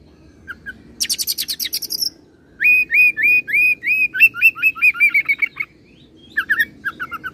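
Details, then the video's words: Oriental magpie-robin singing an imitative roll song with cililin and serindit mimicry: a burst of high rapid ticking notes, then a long series of quick repeated upward-hooked whistles, ending with short chirps over a low steady hum. "KACER ROLL CILILIN SAMBUNG SERINDIT"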